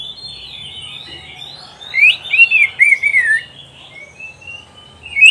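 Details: Kacer, the oriental magpie-robin, on a masteran track meant to teach pet birds to sing. Faint high whistles lead into a loud, rapid, looping whistled phrase, followed by quieter thin notes and a closing chirp.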